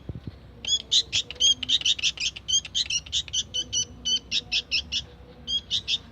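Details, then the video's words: Young sooty-headed bulbul (kutilang) singing actively: a steady series of short, bright chirping notes repeated roughly three times per second, each with a clear high tone, over a faint low background murmur. "burung kutilang anakan gacor"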